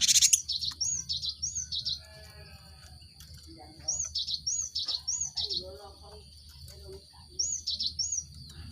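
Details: Lure recording of a Cinereous tit to stimulate caged birds kept together to sing; high paired chirps repeated in spaced groups of three or four, with faint mid-pitched chatter and a continuous high tone behind.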